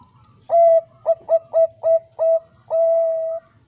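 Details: Bangkok-type zebra dove, a female calling the male, sings close and clear: a held coo, five short rapid staccato notes, then a long drawn final note, over a faint low hum.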